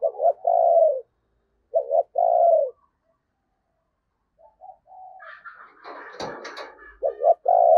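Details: Decoy spotted dove calling to attract wild doves: two clear low coo phrases, a double note and a long falling coo, then a burst of rustling clatter before a further coo.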